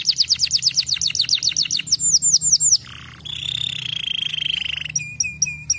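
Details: Canary song played to make young canaries sing and roll: rapid repeated downslurs, a brief low buzz, a long sustained whistled trill, then ringing paired notes.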